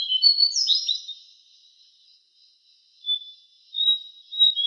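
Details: Javan cochoa song from a training recording for songbirds: one quick tumbling phrase of high whistled notes, a quiet gap, then scattered thin, level high whistles.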